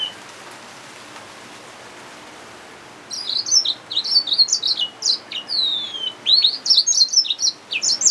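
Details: Yellow-fronted canary mule, a hybrid finch, starts singing after about three seconds of quiet: a busy, high twittering song of sharp slurred chirps and brief whistles, pouring out several notes per second.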